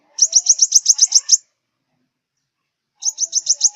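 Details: Southern five-colored sunbird, its song used as a trapping lure: a rapid string of about ten sharp, high ticking notes, then silence and a second, similar burst.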